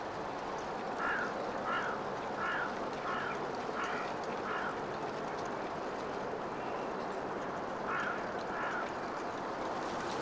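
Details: Two yellow-legged gulls squabbling over a fish: a run of short, harsh mid-pitched calls about every 0.7 seconds for five seconds, a pause, then two more calls near the end, over constant broadband background noise.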